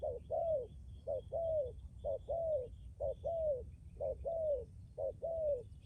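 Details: ['Strong-cooing spotted dove decoy from Lâm Đồng, Vietnam, kept for luring wild doves. Soft paired coos, a brief note followed by a longer falling one, repeat steadily about once a second.']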